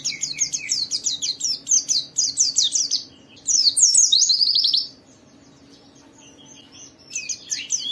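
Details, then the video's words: White-eye singing gacor as a lure for other white-eyes. A fast series of sharp repeated chirps rises into a loud warbled flourish, then near silence for about two seconds before high twittering resumes. "Suara burung Pleci ini Ampuh memicu semua Pleci cepat Buka Paruh dan gacor"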